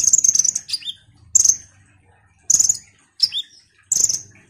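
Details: Vigorously singing ruby-cheeked sunbird used as a lure: rapid, shrill high chattering opens, followed by spaced bursts of piercing twitter and sharp downward-sliding notes.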